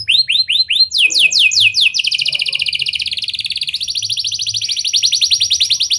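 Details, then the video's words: Canary singing continuously in lovebird and prenjak style, a lure for other canaries: quick rising whistles, a lower buzzy series, then a long unbroken rapid rolling trill. "Kenari Gacor Cengkok Lovebird & Prenjak! Ampuh Buat Pancingan Kenari Lain Agar Gacor Panjang"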